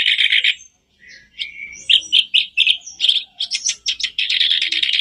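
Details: Lure recording of sooty-headed bulbul song for prompting a caged bird: a loud chattering burst, a short gap, then whistled notes building into fast repeated phrases and a dense warble.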